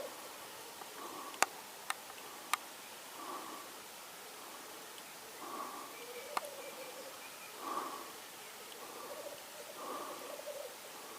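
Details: Black grouse cock recorded in Norway, 8 May 2019: soft whooshing bursts recur roughly every two seconds over a faint, continuous low bubbling, with several sharp clicks early on.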